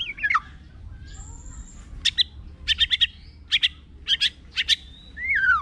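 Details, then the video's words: White-rumped shama singing a varied song: a falling whistled phrase, a long thin high whistle, then a run of sharp clipped high notes in quick pairs, ending on a rising-falling whistle; faint low background hum. "Murai STEP ONE"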